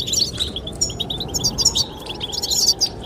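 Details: Brief spell of goldfinch chirping linked to attracting the female, with rapid high twitters and trills running almost nonstop over heavy wind noise.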